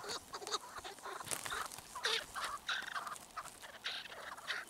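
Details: Chukar partridge calls: throaty, clucking notes in loose clusters with short gaps, some rising into sharper chirps, over a soft hiss.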